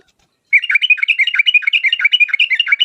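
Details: Yellow-vented bulbul in lively 'uplik uplik tarong ropel' style song, used as a lure to make other bulbuls answer at once: dense, rapid run of bubbly chirps and warbled notes with no pauses, following half a second of silence.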